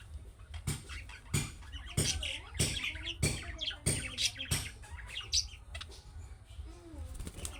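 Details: Budgerigar chick calling chirps meant to set off replies from other budgerigars: bursts of chattering chirps interrupted by loud sharp clicks about every half second, with a low hum throughout.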